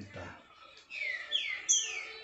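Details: A caged male green-winged saltator (Saltator similis), kept beside a caged female, sings loud, clear whistled phrases that sweep down and up, after a man speaks briefly.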